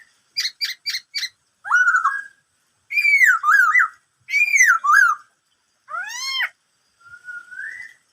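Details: Black-throated laughingthrush song of the "bắt cô trói cột" type. Four quick clipped chips open, then loud whistled phrases that rise and fall in looping slurs, a deep U-shaped swoop, and a soft rising whistle at the end.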